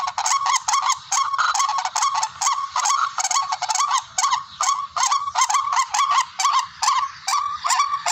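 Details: Tikling (barred rail) lure calls for bird hunting: rapid, strident honking notes repeated more than twice a second, in rhythmic bursts with short breaks between them.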